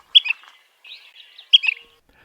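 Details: An Ash-throated Flycatcher in a spring Arizona desert backyard, typically calling from mid-level perches and sallying for insects, gives two burry, rough "ka-brick" notes about 1.4 seconds apart, with softer scratchy chatter between them.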